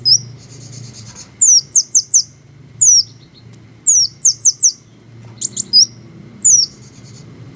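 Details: Green hummingbirds in nature: a short buzzy trill, then bursts of three or four piercing downward-sliding squeaks, repeated in groups, with low muffled background noise.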